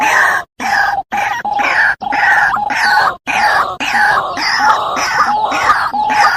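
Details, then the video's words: White-breasted waterhen giving loud, harsh, raucous croaking notes in a rapid, roughly rhythmic series of nearly two per second, broken by a few abrupt short gaps. "suara burung Sawah/Ruak ruak"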